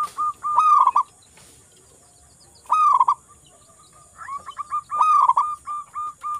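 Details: Local zebra dove singing actively, recorded to coax silent doves into song: three bubbly, rolling cooing phrases, each a quick stuttered burst easing into steady, ringing coos, spaced a couple of seconds apart over a faint constant high hiss.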